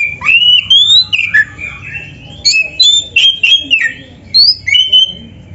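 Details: Oriental magpie-robin singing 'gacor isian', a master song filled with imitated phrases for training other birds: loud, clear whistled phrases, rising and falling slurs and sharp chips in quick, irregular bursts about every half second.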